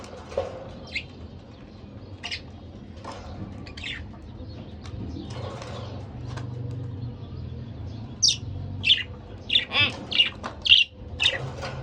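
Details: A pet budgerigar couple, quiet at first with faint chirps and rustling, then a quick run of loud, bright chirps repeated rapidly toward the end.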